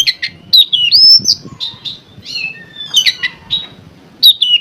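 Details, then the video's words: Oriental magpie-robin singing to trigger other magpie-robins: rapid run of whistled slurs, buzzy notes and chattering phrases with a faint low rumble beneath. "CARA MANCING KACER 5 MENIT LANGSUNG MONCER"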